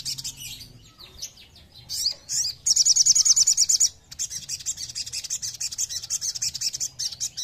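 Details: Ruby-cheeked sunbird song played as a lure to provoke other birds into singing: dense, very high, thin chirping with fast buzzy trills, a loud rapid run of sharp notes near the middle, then quicker twittering to the end.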